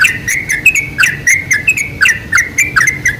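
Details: Sooty-headed bulbul singing, played as a lure to draw bulbuls into song: bright, chattering chirps with quick downward slurs, closely spaced and uneven in rhythm, over a light low hum.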